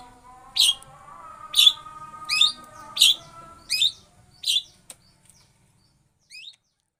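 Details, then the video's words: Long-tailed shrike (pentet) giving lovebird-like notes: six loud, high, sharp chirps about one per second, then near silence with one faint final note. "Pentet full ngeroll love bird"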